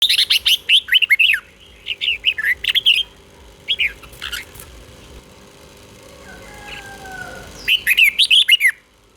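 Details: Red-whiskered bulbul song from Thailand, played to excite caged birds and teach young birds, in the southern master style: bursts of short warbled, whistled notes in quick runs, a long pause with faint thin whistles, then another rapid burst.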